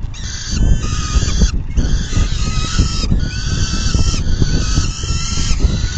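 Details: Peregrine falcon feeding at the nest on an afternoon in June 2022; a steady series of loud, grating, harmonic wails, each about a second, nearly continuous, with strong low-pitched wind buffeting throughout.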